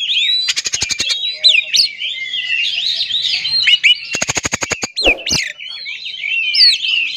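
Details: Oriental magpie-robin song used to goad other magpie-robins into singing: two rapid, clicking rattle bursts, each set among continuous, varied, scratchy whistling, with a harsher rasping note near the end.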